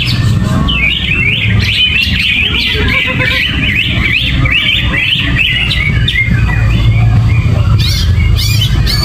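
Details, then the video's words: Gerabakan-style song of a greater green leafbird, sung with no banana and no cage cover. Quick rising and falling whistled phrases run together without pause over a constant low-pitched drone. "Cucak Ijo Gerabakan No Pisang , No Kerodong , Cuaakkzzz !!!"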